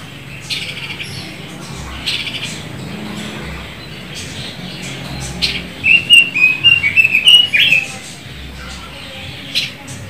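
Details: Pekin robin, Leiothrix lutea, a bird from China now growing rare in Indonesia. Midway comes a quick run of clear, warbled notes, rising and falling, set among faint scattered chirps over a low background rumble.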